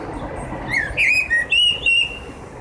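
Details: Eurasian blue tit nestlings, 7–9 days old, calling while being fed: a quick run of high, thin chirps and short rising whistles, four or five notes in about a second, over a low background rumble.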